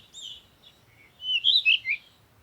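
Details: Birds chirping at sunrise in the morning: a short high twittering phrase, then a quiet gap and a louder run of sweeping, warbled chirps that rise and fall, with a faint low rumble underneath.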